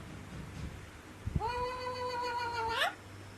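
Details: Alexandrine parakeet mimicking a cat: after a couple of soft knocks comes a single sustained, even, nasal meow lasting about a second and a half, which curls upward at its close over a low hum.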